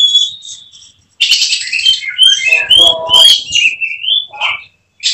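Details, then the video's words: Caged oriental magpie-robin (kacer), a contest prospect, shifting into 'tembakan' delivery: a thin opening whistle, a pause, then a loud harsh burst running into fast, sliding whistled notes with some lower rasping phrases. "Emosi berubah menjadi tembakan di menit menit genting, Kacer bakalan prospek lomba"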